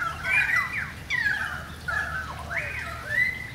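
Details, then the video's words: Currawongs calling in a rain shower: four bold, bending whistled phrases, each sliding down and then rising again, with a slightly raspy texture, set against a soft low background hiss. "Currawong song"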